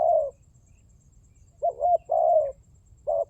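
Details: Spotted dove lure call: a long mellow burry coo, then a phrase of two quick looping notes and another drawn-out coo, with a short coo cut off at the end; soft low rumble beneath.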